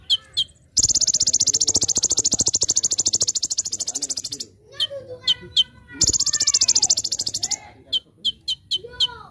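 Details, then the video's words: Olive-backed sunbird (konin) singing a master song full of rapid bursts (tembakan): two long, very fast, shrill rattling trills of several seconds each, framed by sharp high chips and a few slurred whistles. "Masteran Handal ‼️ Konin Gacor Full Tembakan"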